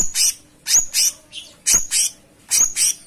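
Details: Loud paired high chirps from a cucak cungkok in full gacor song, each pair repeated roughly every second, bright and slightly buzzy.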